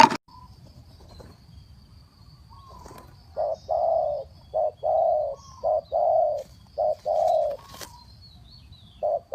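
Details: Spotted dove cooing fast, used as a trapping decoy: low, hollow coos in pairs, a short note then a longer one, repeated several times after a quiet start, with a faint steady high tone behind.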